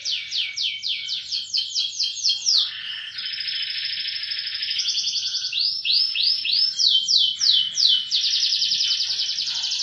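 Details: Loud canary roll: bursts of fast descending sweeps, a sustained high buzzing trill, then more rapid arched sweeps and another rolling trill, steadily varied and continuous.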